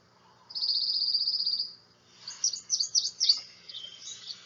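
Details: A male Prothonotary Warbler, calling to females, gives a run of about five bright, emphatic "sweet" notes on a single high pitch, after a thin, steady high buzzing trill.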